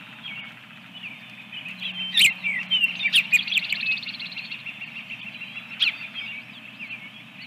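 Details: Osprey calling at the nest after the second egg was laid, April 2022, nest camera: a quick burst of high chirping whistles mid-clip, then quieter slurred notes, with a constant low electrical hum beneath.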